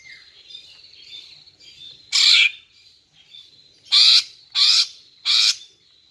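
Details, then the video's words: Greater green leafbird female call for luring males. Four loud, buzzy, harsh notes, the last three coming in quick succession about half a second apart, over faint high thin whistling. "Memikat dan Memancing Burung Cucak Ijo Jantan dengan Suara Betina Ini agar Gacor Mantap"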